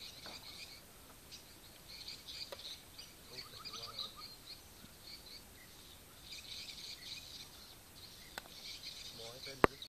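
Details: Swiftlet sound test at Marudi: faint, high twittering chirps in loose bursts, with a brief lower buzzy run midway, over steady background hiss and a few sharp clicks.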